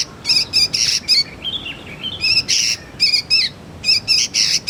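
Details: Young sooty-headed bulbul kept as a lure and song tutor for magpie-robins: harsh buzzy chirps in quick series, plus one softer wavering whistled note midway.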